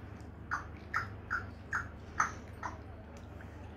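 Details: Tame pet African grey parrot talking indoors, uttering six short, mid-pitched squeaky syllables, about two a second, over a low indoor hum.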